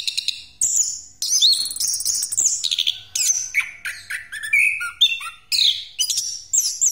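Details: Orange-headed thrush pastol song, rolling and used as a lure for other birds, with high whistles, rasping buzzes and descending slurred notes packed into rapid phrases about every half second.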